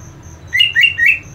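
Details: Greater green leafbird (Chloropsis sonnerati), aggressive fighting call toward rivals: three harsh, rasping notes in quick succession, each sliding upward, about a quarter second apart, over faint background hiss.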